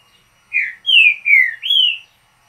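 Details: Short mateiro song of a true Green-winged saltator: four rich whistled phrases within one and a half seconds, the first low and falling, then higher slurred notes dropping and rising again, in a quiet setting.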